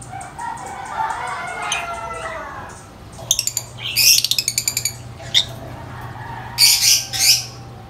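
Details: Lovebirds, described as very vocal and noisy with high-pitched chirps: soft murmuring tones at first, then harsh, raspy bursts of chatter in quick runs, with a steady low hum in the background.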